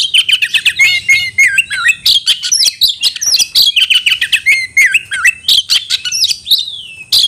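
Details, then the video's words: Oriental magpie-robin calls for a fighting rival, played to make birds more aggressive and spread their tails: a rich, rapid, loud song of sweet whistles, slurred rising and falling notes and sharp chattering bursts without pause. "panggilan kacer mencari lawan tarung"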